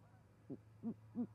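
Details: A great horned owl pair at a wintering osprey nest in Charlo, Montana, 20 January 2020, delivering prey and mating, nest camera; three deep, rounded hoots, a faint one then two stronger, evenly spaced about a third of a second apart, with steady hum.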